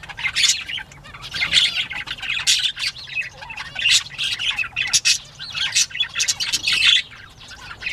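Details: Bobwhite quail playtime on 19 April 2017, mid-morning: loud clustered squawks and rapid high chirping come in bursts roughly every second, from several birds calling over one another.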